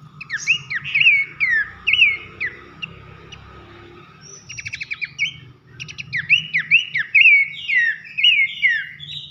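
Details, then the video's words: Abbott's babbler (pelanduk semak) in energetic 'nembak nyiul' song: fast runs of looping, downslurred whistles, a quick rattling series of short notes midway, then dense whistled phrases resuming, faint hum beneath. "masteran nembak nyiul keras khas pelanduk semak"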